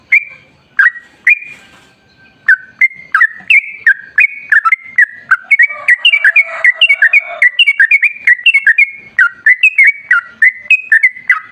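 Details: Sooty-headed bulbul in a lively, long-running ropel ngalas song, used as a lure to make other bulbuls sing: rapid bubbly whistled notes, rising and falling, tumbling almost continuously after a short opening, with a faint lower warble mid-phrase.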